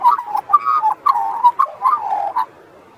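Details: Magpie carolling beside the sea, a rich run of fluty, gurgling notes strung together for over two seconds, dipping and rising in mid pitch. The song trails off into quiet surf-like hiss.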